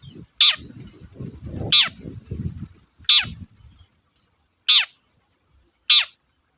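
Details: Long-tailed shrike repeating a loud, grating downward rasp five times at irregular intervals, used as a lure to rouse silent shrikes; low murmuring noise underneath early on.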